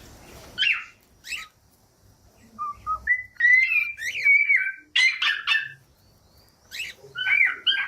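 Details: Pet cockatiel whistling a song: short chirps, then sustained clear whistled phrases that rise and fall in pitch, broken by brief buzzy notes and pauses, indoors with faint background noise.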